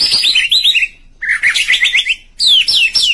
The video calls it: white-rumped shama chirping style